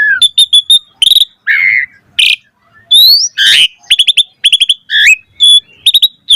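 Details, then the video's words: Asian pied starling singing a full, varied song used as a lure for training other starlings: bursts of rapid stuttering chips, a harsh buzz, rising and falling whistles, and grating squawks, all mixed in quick irregular order. "Pancingan Jalak Suren Gacor Full Variasi Untuk Masteran Suara Burung Jalak Agar Gacor Full Isian"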